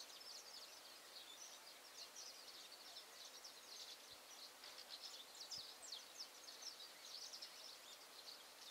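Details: A young saffron finch learning to sing in a tree at the edge of Várzea das Flores, Betim, keeps up a faint, rambling stream of high, scratchy twitters and chips without clear pauses, over a steady hiss.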